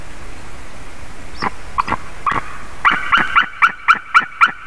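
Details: White-tailed eagle at its nest, filmed by a live nest camera on 14 February 2019 at 07:40. Sharp, high yelping notes begin spaced out, then settle into a steady, ringing run of about four per second over a faint background hiss.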